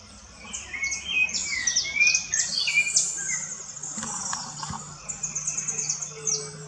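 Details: Rufous-bellied thrush in the bush, giving a run of mellow whistled phrases with slurred rises and falls early on, while busy high-pitched twittering from other birds fills the background.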